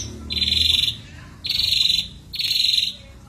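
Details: Gacor song of an Ashy drongo used as a lure with rich isian fill: three rasping, buzzy bursts of high notes, roughly one a second, with quiet gaps and low background rumble.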